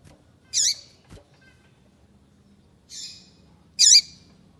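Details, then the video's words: A female double-collared seedeater calls to prompt a male to sing, giving three separate rasping, buzzy high notes over several seconds. A single soft click sounds between the first and second calls. "FÊMEA PAPA CAPIM PIANDO PARA O SEU PAPA CAPIM FICAR LOUCO PRA CANTAR"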